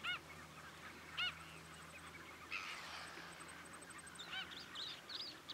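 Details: Wrybills recorded at Miranda, February 2012: several brief, nasal, arched call notes with strong overtones, scattered through the clip. Softer twittering and chatter from other birds fill the background.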